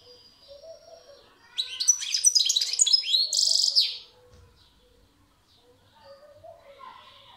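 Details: A European goldfinch sings a lively phrase of fast, jangling high chirps and trills, rising into a harsh buzzing section, with faint softer calls before and after the main burst.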